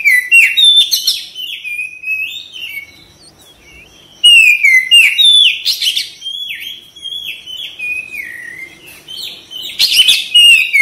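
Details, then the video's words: White-rumped shama, kept as a cage bird, singing loud whistled phrases that slide and step between notes, with sharp chirps and harsh bursts; two bursts of song separated by a quieter stretch of soft twittering. "KACER CEPAT RESPON GACOR"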